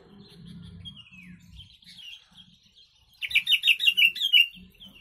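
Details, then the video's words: Song of a yellow-vented bulbul containing imitated sooty-headed bulbul (kutilang) phrases, for training birds: thin falling whistles, then a rapid run of about six loud, bubbly, slurred notes, with low thumps beneath. "Trucuk Isian Kutilang"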